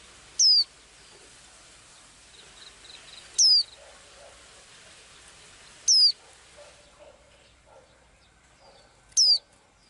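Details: A small blue-eyed bird singing, as it does every day: loud, sharp, downslurred whistled notes with a quick upward flick at the start, given singly about every three seconds, with faint low chatter in the background.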